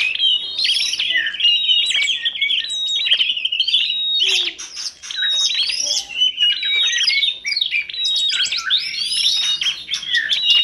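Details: Masteran compilation of energetic songbird singing from magpie robin (kacer), tledekan gunung and prenjak: dense, continuous high whistled phrases with rapid chirps and sweeping slurs, layered without pause, with a brief dip near the middle.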